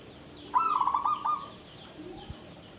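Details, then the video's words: Perkutut (zebra dove) singing from a bamboo cage in Tumpang Sari style: one bright, rolling phrase of rapid soft coos, klarr kete kuk kuk, about a second long, followed by a faint knock. "SUARA PERKUTUT KLABANG KAPIPIT || TUMPANG SARI || KLARR KETE KUK KUK"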